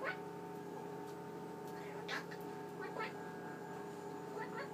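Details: Eclectus parrot, male, going through his vocabulary at night before being covered, four brief speech-like bursts about a second apart over a steady indoor fridge hum.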